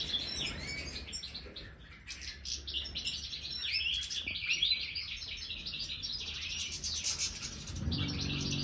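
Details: Major-type European goldfinch in an aviary, offered a marigold snack, sings a lively stream of twittering, tinkling notes with quick rising and falling slurs; a low thud near the end.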